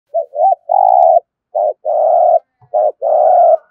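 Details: Spotted dove giving the cooing style known as thúc gù: two short rising notes, then long, buzzy, level coos, with phrases repeated in quick succession against a quiet background.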